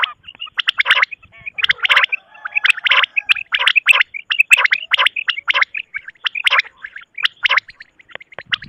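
A quail gives harsh, rasping bursts about once a second, with short clear whistled notes between them. No other sounds stand out.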